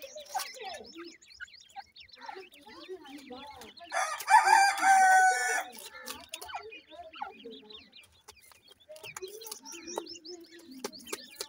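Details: Feeding Grey francolin chicks give thin chirps that rise and fall. A loud broadband burst around the middle masks them briefly, then the scattered peeping and clicks resume.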